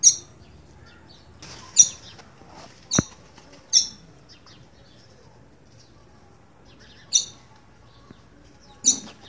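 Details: Frightened green-winged saltator giving seven piercing high chip notes in loose clusters, bursts separated by gaps of up to three seconds, with a single low thump early on and otherwise quiet surroundings.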